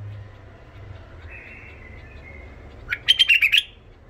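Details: Iraqi white-eared bulbul, tame and rough-voiced, singing to coach young bulbuls: a faint, drawn-out whistle followed by a quick cluster of bright, stuttering chirps near the end.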